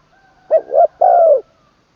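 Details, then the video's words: Caged spotted dove being trained as a decoy bird, third training session, singing in the 'long kuk wai' style with a full middle voice. A single low cooing phrase: two quick hollow notes, then one long, slightly falling coo, in quiet surroundings. "ขันลงกุกวัย เสียงกลางเต็ม"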